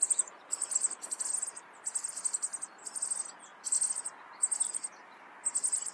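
Rock bunting giving thin, very high 'zi' calls in short clustered bursts about every half second, over a steady rushing background hiss.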